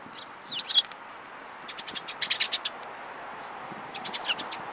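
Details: February 5, 2018 recording of sparrows, including a yellow-beaked one: a few thin descending chips, then a quick series of about five sharp chirps, followed by softer twittering toward the end.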